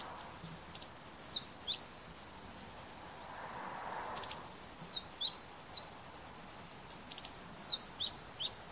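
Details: Meadow bunting (Emberiza cioides), call.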